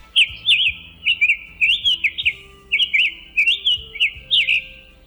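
A Summer Tanager sings short, burry, robin-like phrases in a steady, unhurried series.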